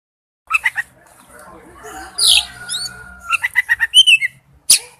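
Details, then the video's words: Male oriental magpie-robin calling to a female: short bursts of clipped, rising notes, a sweeping whistle and a few scratchy phrases, separated by quiet gaps. "tiếng chích chòe than gọi mái/chích chòe than trống kêu"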